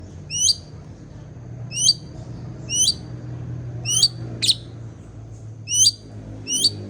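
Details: Long-tailed shrike calling: a sharp, high, rising then falling note repeated roughly every second, with a steady low hum in the background.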